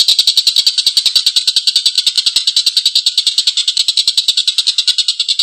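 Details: Long, coarse laughing series from an energetic Collared kingfisher: a continuous stream of harsh, rasping kek notes at a fast, fairly even pace of roughly three per second, with no other sounds.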